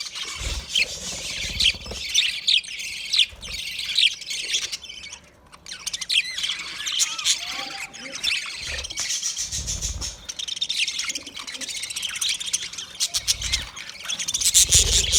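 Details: Chirping budgerigars keep up a continuous high chattering warble, with a short lull midway and low rumbling knocks in the background.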